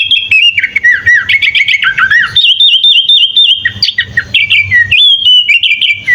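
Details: Sooty-headed bulbul in full 'isian' song, a master recording for teaching other birds: bright whistles sliding down in steps, brief chattering bursts and a long steady whistle, delivered continuously with small gaps.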